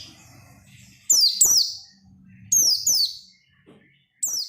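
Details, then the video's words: An insistent oriental white-eye song, played to set other white-eyes singing and opening their beaks. Paired thin, high, falling whistles break a near-silent background in three short bursts. "SUARA PELECI GACOR NGOTOT BIKIN PELECI LAIN RAJIN BUNYI BUKA PARUH"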